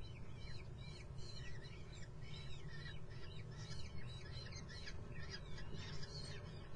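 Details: Common kestrel chicks in a nest at Muttenz keep up a shrill, overlapping chatter of short, wavering begging calls as a fast train passes, a steady low rumble.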